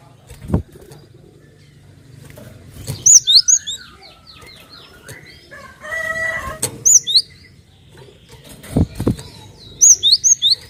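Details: Cinereous tit lure call to draw other birds into song: three bursts of three to four high swooping whistles, a few seconds apart, with thumps, a brief buzzy sound and faint chirps between.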